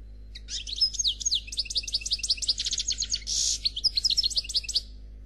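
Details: European goldfinch singing a faultless Noir Khalwi song: nearly five seconds of continuous fast twittering, tinkling notes, clipped rattles and one wheezy buzz, high and bright.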